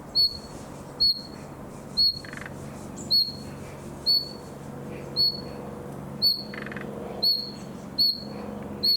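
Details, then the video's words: A young nightingale in summer keeps at its practice: about nine bright, high, whistled notes, each sharp at the start and fading off, repeated roughly once a second at a slightly uneven pace, with low background rumble. "Пение летнего соловья. Малыш старается"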